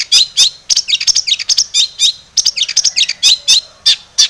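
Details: Long-tailed shrike song used as a lure: a busy stream of high chirps, squeaks and downslurred whistles delivered in quick bursts throughout.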